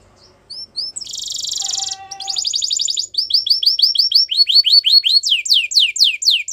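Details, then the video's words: Canary song used for training: soft chirps lead into a harsh buzzy burst and a rapid trill, then clear repeated whistled notes and loud descending slurs building in volume. "Canary's Most Powerful Song For Training"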